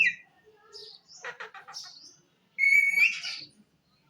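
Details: Talking parrot giving short chattering, speech-like syllables, then a loud clear whistle that rises slightly and breaks into a buzzy squawk.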